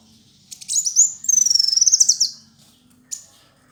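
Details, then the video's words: Male kolibri wulung sunbird in full song as a tutor recording: a few sharp ticks, then a rapid rhythmic series of high thin whistled notes, ending with one isolated chip; soft low hum behind. "Kicau Burung Masteran Kolibri Wulung ayah Gacor"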